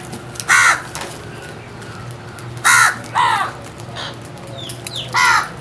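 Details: Harsh, nasal crow caws, four in about five seconds, irregularly spaced with a quick pair in the middle; faint high chirps of other birds are heard between them.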